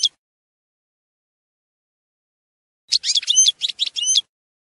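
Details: European goldfinch singing telqam style: after a long silence, a single rapid burst of high, scratchy twittering notes lasting just over a second.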